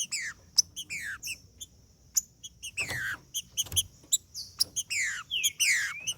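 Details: Green-winged saltator singing 'macheando' to warm up a male: downslurred whistles and bursts of high, sharp chips, fairly soft over a low background hum with a few clicks.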